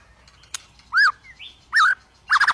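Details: White-rumped shama song, used to prompt shamas that are reluctant or stalled in singing: a few loud, separate down-slurred whistles, a short rising note, then a quick burst of rapid chattering notes at the end.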